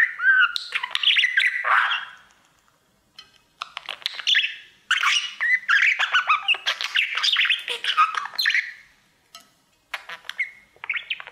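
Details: Pet male budgerigar singing to its mirror indoors: a continuous chattering warble of rapid clicks, buzzy notes and squeaky whistles in bursts of a few seconds, with short pauses between phrases.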